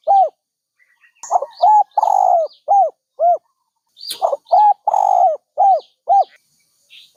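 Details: Dove coos repeated in two phrases, each a run of rounded hoots with a longer rough note in the middle. Small birds chirp and whistle faintly in the background.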